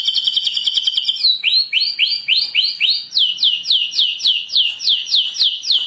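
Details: White-rumped shama song used to lure others of its kind: a fast run of repeated high whistled notes, each sweeping upward then falling, rattled off about three per second.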